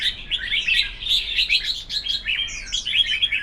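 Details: Red-whiskered bulbuls in a song contest: brisk, cheerful whistled phrases and chirps come in rolling waves, notes bending up and down in rapid succession.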